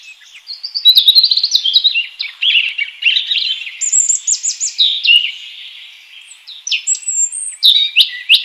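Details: Continuous, richly varied high warbling from a wild European robin, with quick liquid trills, thin piercing whistles and shifting note patterns running for the whole eight seconds.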